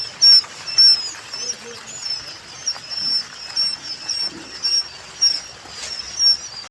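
Japanese quail chicks give thin, very high peeps, short and repeated almost twice a second in an uneven patter, with faint low murmurs beneath.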